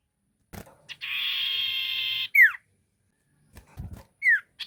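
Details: Ashy tailorbird singing as a lure: a buzzy, slightly harmonic trill of over a second ends in a sharp downslurred note, then low thumps and another falling whistle.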